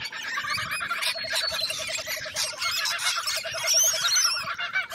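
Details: Australian lorikeets screeching continuously: a dense, harsh, high-pitched chorus of overlapping squawks with a steady pulsing undertone throughout.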